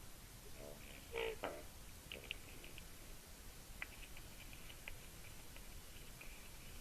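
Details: Common raven near a white-tailed eagle nest in Latvia, filmed by nest webcam on 25 February 2018, one bird inside the nest below and another on a branch; short knocking, clicking bursts, a louder double burst early, then scattered sharp ticks over steady hiss.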